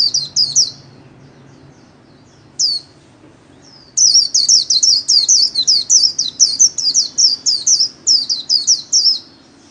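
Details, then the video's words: A kept white-eye sings the líu style solo: a few scattered high notes, then from the fourth second a fast, steady string of sharp, slurred, chattering notes, about 2.5 per second. "KHUYÊN LÍU SOLO RẤT HAY - LUYỆN KHUYÊN LÍU MỖI NGÀY"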